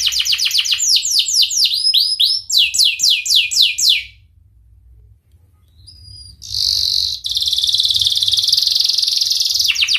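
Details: Singing canary, 'cengkok mewah' song style meant as therapy for canaries that will not sing: quick trills of downward-swept notes, a two-second pause with faint chips, then a long harsh buzzing roll.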